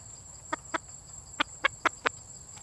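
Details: Female red junglefowl calling for a mate, giving six soft, clipped clucks in two loose groups over a faint hiss and a thin steady high tone.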